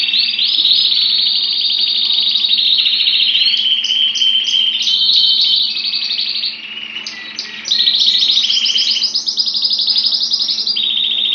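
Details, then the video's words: A canary sings a long, unbroken run of bright rolling trills and rapid chirped tours, high and piercing, with only one brief pause before resuming. "أجمل تغريد لطير الكناري beautiful tweet of the canary bird"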